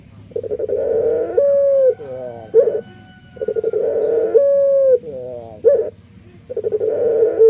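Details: Burung puter, a Barbary dove whose voice is described as unique, possibly faulty: cycles of a throaty rolling coo followed by a clear sustained tone, then a brief broken note, about every three seconds.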